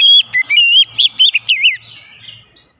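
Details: White-rumped shama song meant to make a stalled, stressed kacer sing: rapid sequence of sweet whistles and slurred notes, dropping lower toward the end before trailing off.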